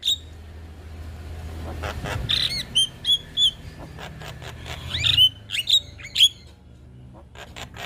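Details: Young Javan myna singing as a model for other mynas to copy: scattered faint clicks, then short clear whistled notes and rising chirps in bursts, with low background rumble.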